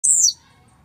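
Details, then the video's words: Blue-black grassquit described as grumpy and aggressive, singing to fire up other grassquits: one short, buzzy, very high note sliding downward, lasting about a quarter second, then quiet with low background hum. "esquenta seu tiziu🔥tiziu rabugento"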